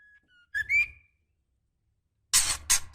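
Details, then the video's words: Female white-rumped shama in breeding condition calling the male: a faint flat whistle, then a short rising harmonic whistle, followed after a pause by three harsh broadband bursts. "Suara Murai Betina Gacor Memanggil Jantan"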